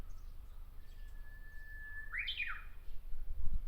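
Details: Japanese bush warbler singing from a treetop in Miyakonojo, Miyazaki, Japan. A level whistle is held for over a second, then breaks into a short, bright, tumbling phrase. Low background rumble throughout.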